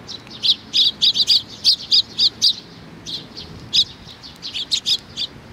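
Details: A flock of sparrows gathering to be fed, 15 May 2019, chirping steadily: crisp, high single notes repeated about three or four per second, briefly pausing midway before resuming in a ragged series.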